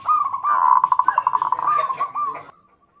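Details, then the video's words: Local zebra dove song used as a lure for other birds: a dense, rapid rattle of cooing notes at an even mid pitch lasting over two seconds, then fading out. "pancingan perkutut lokal"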